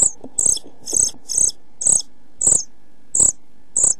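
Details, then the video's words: European pied flycatcher nestlings, 11-12 days old, begging inside a nest box shortly before fledging: clipped high-pitched calls repeated about twice a second, each with a low thud from movement in the box. "Kirjosiepon poikaset 11-12 päivää / Pied flycatcher's chicks 11-12 days"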